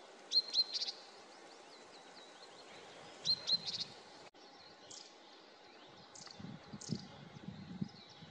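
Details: Long-tailed tits, a pair at work on their nest beside the Siemianówka reservoir, filmed from afar; two clusters of loud, high, thin twittering calls with a fine whistled note, then softer high chips and low rustling.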